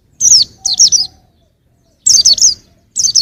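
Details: Young white-eye singing short clusters of loud, high, steeply falling chirps, with a pause of about a second between clusters.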